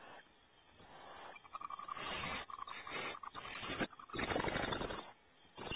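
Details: Barn owls in a nest cavity at Audubon Starr Ranch, California, as the father brings prey, give harsh, rasping hiss-screeches in bursts of one to two seconds, with scraping and shuffling noises between them.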